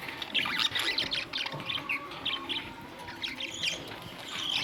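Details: Budgie parrots on May 2, 2023 warbling softly: rapid twittering, scratchy notes mixed with short whistles, continuous at moderate volume over a faint hum.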